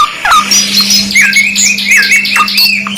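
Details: Canary singing in a combined two-in-one tutor recording: quick chirps and bright whistled slurs tumbling over one another, with a constant low hum running through most of the clip.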